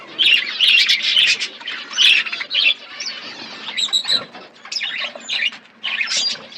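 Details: Pet budgies chirp and chatter while feeding, giving bursts of harsh warbled notes and squawks separated by short pauses, plus a few thin high whistles.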